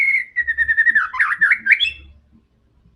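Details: Fierce white-rumped shama in fighting song to provoke other birds: a fast even series of repeated whistled notes, then a tangle of slurred rising and falling phrases before falling silent.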